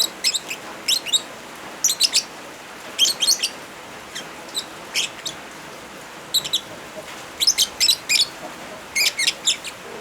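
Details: Lovebirds with rain sounds for therapy of birds that stopped singing: a steady stream of shrill, high chirps in groups of two to four, repeating every second or so, over even rain hiss.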